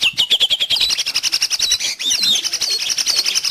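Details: Long-tailed shrike, a recording meant for training pet birds or luring wild ones: a fast, even string of clipped chirps on one pitch gives way to tangled, twittering warbles.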